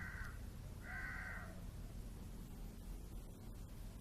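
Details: Crow calling: two harsh, nasal caws about a second apart, over a steady low rumbling background noise.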